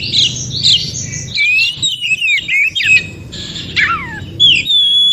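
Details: Oriental magpie-robin in the wild forest, a song meant to prompt other magpie-robins to respond and sing. Bright whistled notes, sweeping slurs and short chattering phrases, with a brief pause midway and a steady low hum beneath.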